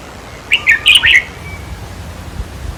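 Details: Red-whiskered bulbul singing during decoy trapping, a recording played to excite caged birds: a single brisk phrase of about five chirped, bouncing notes lasting under a second, then near silence.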